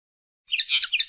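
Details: Common linnet singing a short burst of mixed twittering high notes, brief and bright, cut off at the end.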